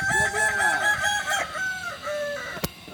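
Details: Kukuak Balenggek rooster crowing at a group training session in Ampang Kualo, Kota Solok, Indonesia; a long, harmonic, wavering crow runs through several linked syllables, ending in a sharp click near the close.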